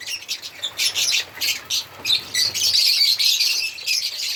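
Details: Shrill chirps from African lovebirds come in quick pulsing bursts, then merge into a steadier high chatter with a few thin whistled notes.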